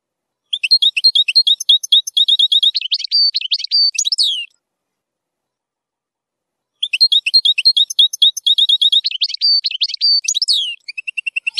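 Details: European goldfinch zilzal song with strong nahrat, for teaching young goldfinches: two long, fast twittering phrases of tinkling high notes, each ending in a buzzy rising flourish, separated by silence.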